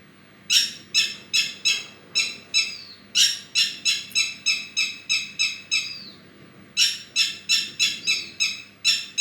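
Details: Bird giving harsh, buzzy notes in rapid series of about three per second, broken by short gaps and occasional downslurred rasping phrases.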